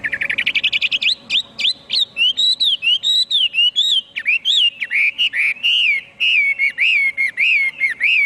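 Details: Chinese hwamei opening with a fast rattle of rising notes, then long flowing whistled phrases that swoop up and down, rich and continuous to the end, over a faint steady hum.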